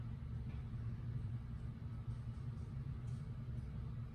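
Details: Quiet, continuous low rumble like distant traffic or an engine, with only faint hiss above it and no clear animal sound.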